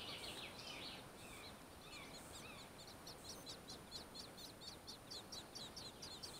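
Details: Fieldfare at its nest by a river, 18 June 2015: harsh buzzy bursts near the start, then a long run of quick, thin, high descending notes, about two per second, over a steady background hiss.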